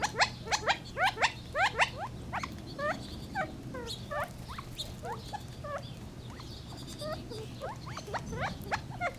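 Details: Gambel's quail calling: loud rapid rising notes in the first two seconds, then a long stretch of softer, scattered chips and slurs from several birds, over a low hum.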